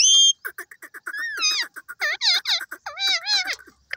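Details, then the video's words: Parrot opening with a sharp high squeal, then a steady string of short clipped notes, about five per second, overlaid by looping, warbling whistled phrases that bend up and down before trailing off. "parrot bird ki best languages and sweet sound"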